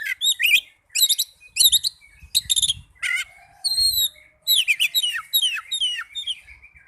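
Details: Oriental magpie-robin song for stimulating lazy or trainee caged birds: clustered bursts of high chattering notes, then long thin whistles and a lively string of rising and falling whistled phrases, with faint low thumps.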